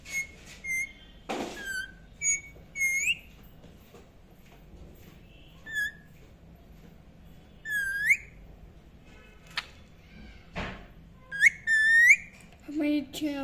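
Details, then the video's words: Indian ringneck parakeet chirping sporadically: scattered short whistled notes and upward-sweeping chirps with pauses between, plus a few clicks and knocks. "indain ring neck chirping sound"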